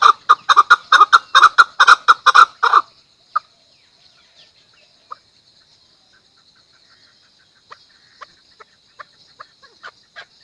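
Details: Chukar clucking: a loud burst of rapid, harsh chuk notes for about three seconds, then silence broken by a few faint, scattered single clucks.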